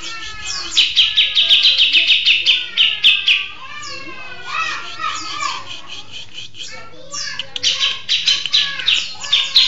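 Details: Grey-cheeked bulbul (cucak jenggot) in steady, vigorous long-shot song: dense bursts of rapid, bright chattering and trilled notes in busy runs, with falling slurred whistles in between and a short pause mid-phrase, over a faint low hum.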